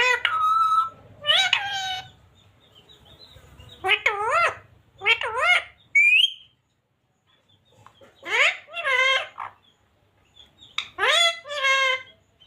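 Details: Parrots talking in a string of short, nasal, speech-like phrases separated by pauses, including a sharp rising whistle midway, with faint high whistles between utterances.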